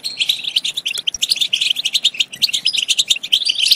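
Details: Quick, bubbly European goldfinch twittering used to encourage goldfinches to sing and mate, with high chirps tumbling one after another and sharp clicks in between.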